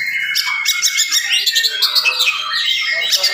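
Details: Oriental magpie-robin in vigorous, fast, dense morning song, used to provoke other magpie-robins that hear it; rich high whistles, trills and slurred notes tumble together without pause.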